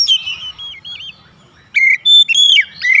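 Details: Oriental magpie-robin lure song meant to trigger responses from other birds: a slurred descending whistle, soft warbles, a short silence, then loud clear whistled notes and chips.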